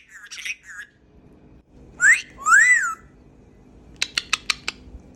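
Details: Caged pet Cape Parrot outdoors in an aviary: a short raspy phrase, then two loud whistles that swoop up and down, followed by a quick run of five sharp clicking taps.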